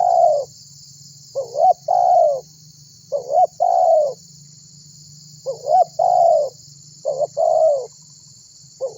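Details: Tekukur, or spotted dove, in lively calling meant to lure others into answering: about six soft two-part coos, each a quick rising note and a drawn-out descending tone, at irregular intervals against a continuous insect drone.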